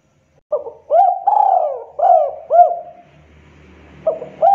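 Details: Local spotted dove in breeding condition, its sharp call meant to provoke other birds into calling: low resonant coos in a rhythmic phrase, short hooked notes followed by longer sustained coos, repeated, with faint low hum between.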